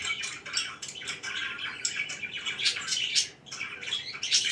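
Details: Pet budgerigars chirping in the morning: dense, overlapping high twittering and warbling chirps with brief squawky notes. The chatter runs continuously with small dips and no other clear sounds.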